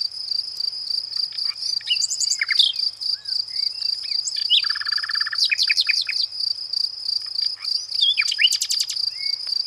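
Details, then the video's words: Varied Nightingale song mixing quick trills, soft whistled slurs and a dense buzzy rattle, with short pauses between phrases and a high insect drone throughout. "EL CANTO DE EL RUISEÑOR"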